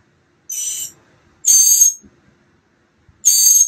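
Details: Mockingbird chicks close to fledging, day 15 of a nest project in March 2022, giving three strident, noisy hiss-like begging rasps, uneven in spacing and length, with silence between them.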